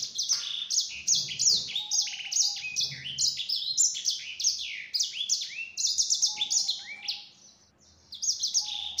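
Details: Lure song of a yellow-fronted canary (sanger) to provoke other birds into answering: a long, rapid chain of high swooping and trilled phrases, briefly fading out near the end before resuming, over a soft low hum.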